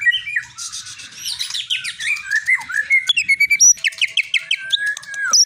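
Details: Long-tailed Medan-type shama, a champion cage bird, opening with buzzy scratchy notes, then clear whistles, then a steady series of short sharp high notes and a rising final slur.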